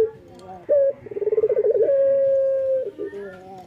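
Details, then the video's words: Morning song of a male local Barbary dove, called puter and singing gacor. A short clear coo is followed by a fast rolling trill and a long even sustained note, then softer wavering coos. "SUARA BURUNG PUTER LOKAL JANTAN GACOR PAGI HARI"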